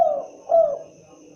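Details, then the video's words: Spotted dove cooing: two brief, hoarse, slightly falling coo notes about half a second apart, the second louder, in a quiet setting. "suara asli khas burung derkuku(Tekukur)"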